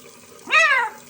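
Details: A macaw repeats a harsh, nasal, voice-like "mama", swooping up then sliding down in imitation of human speech, over a faint background hiss.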